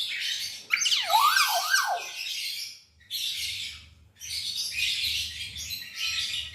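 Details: Hill myna song used as a lure for songbirds: a sharp upward note, then a run of three falling and rising swooped whistles, followed by bursts of dense, hissing, high-pitched chatter with short gaps between them.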